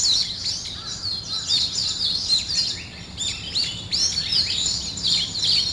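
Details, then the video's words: Morning birdsong: many high, bright chirps and twittering phrases overlap in a continuous chorus, with quick rising and falling whistled notes. No other sounds stand out. "아침을 깨우는 새소리 2 ,Birds wake up in the morning 2"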